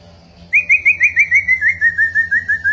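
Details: Pet white-rumped shama singing in competition with its owner: one sustained whistled note that wavers quickly, about six pulses each second, and drifts slightly lower toward the end.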